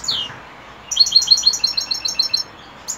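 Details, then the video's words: European goldfinch singing in the evening: a brief descending call note, then a bright, rapid twittering phrase of high, tinkling chirps lasting about a second and a half. "Saka kuşu akşamüstü sefası"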